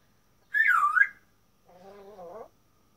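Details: Male African grey parrot speaking for the first time: a short high, wavering whistled sound dipping and rising, a pause, then a lower, nasal voice-like phrase about a second long, in a quiet room.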